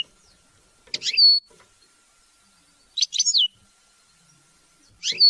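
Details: Three separate bright twittering phrases from a European goldfinch, each with a falling whistled tail, spaced about two seconds apart in near silence, used to motivate hunting and mating.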